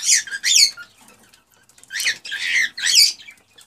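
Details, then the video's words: An excited male cockatiel sings to stimulate a female to mate. It gives two harsh, squawky bursts, a pause, then three more grating chatters with whistled edges. "ساعة من تحفيز طيور الكوكتيل على التزاوج"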